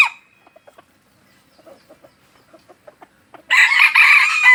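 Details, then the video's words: Pikat junglefowl from Aceh: a brief cry at the start, a series of soft spaced clucks, then a sudden loud, harsh, sustained crow to the end. "Ayam Hutan Aceh # Pikat Ori."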